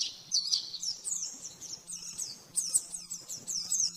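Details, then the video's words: Oriental white-eye master song in the rapid 'nembak-nembak' style, used to train caged birds: bursts of high, quick twittering chirps separated by short pauses, with a faint steady low hum underneath. "Masteran burung pleci nembak-nembak 100% jernih"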